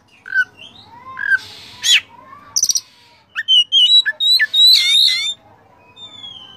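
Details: Oriental magpie-robin song full of fillers, played to train and provoke caged birds: slurred whistles, a buzzy burst, a quick rattle, then a rapid run of bright, sliding notes before a thin whistle.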